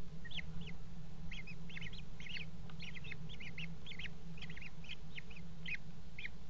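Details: Kestrels mating at a nest box on a water tower, February 5, 2018: a dense, excited chatter of short, quavering high notes, often doubled, running continuously over a constant low drone.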